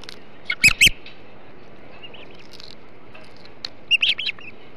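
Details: Osprey at a Hog Island nest while a big flounder is eaten, 21 July 2016 in the morning; two short bursts of loud high chirps separated by faint thin whistles.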